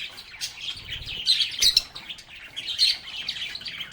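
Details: Agapornis lovebirds chirping and chattering together, a steady flow of quick high tweets and twittering warbles with a few sharper, louder notes and a short low fluttering thump near the middle.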